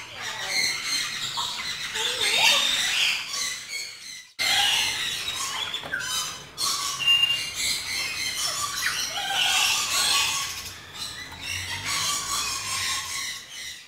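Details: Harsh, noisy screeches and scratchy chatter come from a lory eating dragon fruit, continuing almost without pause apart from a brief break near the start.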